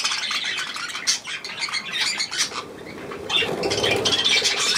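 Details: Budgerigars and their young at millet on 3 May 2024 chatter in busy scratchy bursts with short squawks and wing flaps, pausing briefly midway before the chattering resumes.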